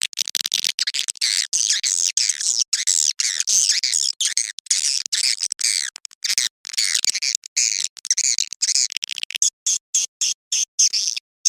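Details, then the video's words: Mating call of swiftlets at dusk, for luring swiftlets: a continuous stream of shrill, fast chittering notes with frequent tiny breaks, thinning into sparse clipped chirps near the end. "SUARA PANGGIL BURUNG WALET BIRAHI SENJA"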